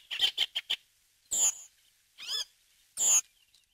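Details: Redwing, a rare or passage bird in Corrèze, France, giving a quick run of four dry, high chips, then three harsher squeaky notes edged with a thin, very high whistle.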